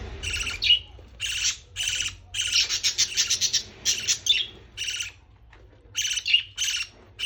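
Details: Parrot chick calling while being fed: bursts of harsh, raspy chirping repeated in quick runs, some rapid stuttering series, with short pauses between bouts.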